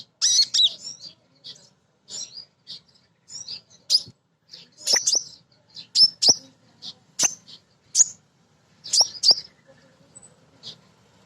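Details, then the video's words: Busy female kolibri ninja sunbird used as a provoking lure for untrained birds: a long stream of high sharp chirps and ticks, roughly two per second, with brief twittery runs. "Kolibri Ninja BETINA Ngriwik Nyrecet Nembak Pancingan Paling Jitu Burung Bahan"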